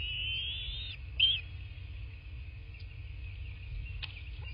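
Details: Bald eagle at a southwest Florida nest, filmed by nest cam on 8 March 2024 at 11:00; a steady high whistled note lasting about a second, then one brief sharp chirp, followed by quiet with low rumble.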